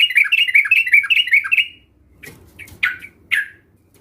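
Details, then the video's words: Sooty-headed bulbul song used as a lure to prompt sluggish caged bulbuls to start singing: a fast bubbly chatter of repeated mid-pitched notes for nearly two seconds, then a pause and three separate sharp downslurred notes. "Pancingan Trucukan Bahan Ombyokan ‼️COCOK Untuk Memancing Trucukan Anda Agar Bunyi dan Gacor"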